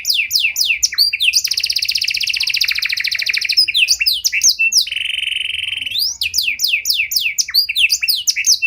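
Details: Panda canary song in the ornate cengkok style, played to bait and train other canaries; fast descending chips, a long buzzing trill, a flat rattling phrase, then more rapid sweeping notes throughout.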